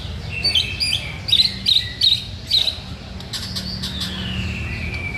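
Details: White-rumped shama singing vigorously: four or five loud, sharp chirped notes in quick succession, then a long clear whistle sliding gently downward, with a steady low hum beneath.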